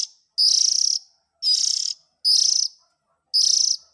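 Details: Young Oriental magpie-robin voice used as a lure for adult birds: coarse, buzzy rasps of about half a second, given four times at irregular intervals against a silent background.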